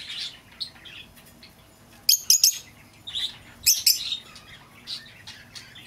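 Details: Lovebird, recorded for luring an escaped bird home: mostly soft background twitter broken by two loud clusters of shrill, rapid chirps.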